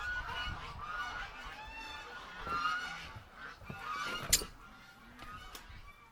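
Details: Domestic geese hurry to the gate on a July 18, 2018 morning, honking at the approaching keeper to be let out. Scattered nasal honks, quieter and sparser, mix with sharp clicks and wind.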